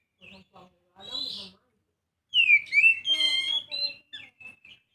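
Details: Song of a young Oriental magpie-robin: a few soft, short notes, then a loud phrase of swooping whistles and a sustained, reedy tone, ending in brief, quieter chirps.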